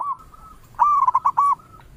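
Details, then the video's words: A local zebra dove sings, calling in all directions. A soft drawn-out coo leads into five quick, loud, rounded notes, then a fading trailing coo. "Perkutut Lokal gacor suara merdu memanggil Keseluruh Arah"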